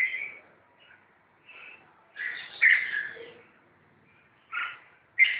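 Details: Red-whiskered bulbuls in a fight: separated short calls, a few soft notes early, then a louder rough burst near the middle and sharp scolding notes toward the end, with quiet gaps between.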